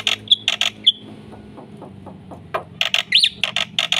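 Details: Black-winged myna in lively full song, played to spur other birds: harsh rasping bursts and short whistles, a gap of soft clicks, then more rasps around a squeaky looping note.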